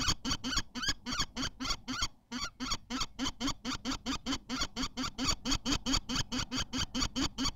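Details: At a Théding nest on 14 May 2023, while an egg is laid, a common kestrel gives a long run of rasping, buzzy notes, a little over two per second, broken by a brief gap near two seconds.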